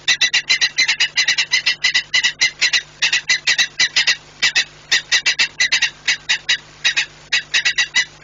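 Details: Shouting saker falcon at the nest in Płock, Poland, on a January 2018 morning: a long, rapid series of raucous, harsh notes in tight runs, with only short breaks.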